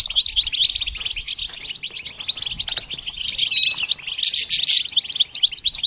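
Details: Goldfinch being trained to sing: a fast, continuous twittering of short buzzy and tinkling notes, mostly high-pitched, with a few clear whistled slurs woven through the stream.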